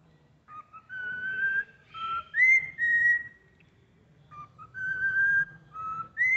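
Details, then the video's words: Cockatiel imitating Happy Birthday with clean, tonal whistles. A short note leads into longer held notes, then a higher, rising note. After a pause the phrase starts again, over a soft low hum. "CALOPSITA CANTANDO PARABÉNS PRA VOCÊ"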